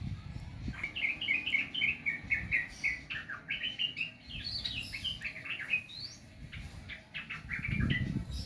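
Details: Sooty-headed bulbul singing a long, lively run of chirpy, bubbly whistled notes that rise and fall, delivered rapidly with brief gaps, over a faint low background rumble.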